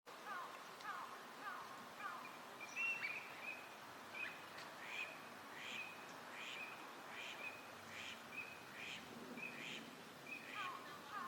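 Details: Eurasian wigeon, wintering ducks at a park pond in Chiba, Japan, in March 2025. Several clear whistled calls repeat about every second, over steady park hiss and murmuring background noise.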